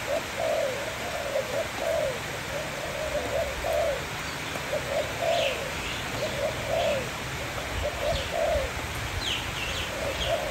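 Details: A Malay dove kept as a pet sings: rolling, staccato coo phrases repeated through ten seconds, while thin high chirps from other birds sound in the background over a hiss.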